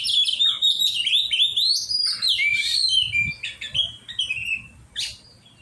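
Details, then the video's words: Oriental magpie-robin (kacer) during song training, singing a varied run of whistled and buzzy phrases that slide between high notes, with quick chattering bursts and a pause near the end. "cara melatih burung kacer"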